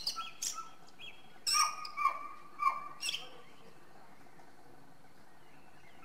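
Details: Song thrush singing: a loud phrase of sharp notes sliding down to a steady tone, repeated three times in quick succession, with fainter high twittering before and after and quiet background hiss.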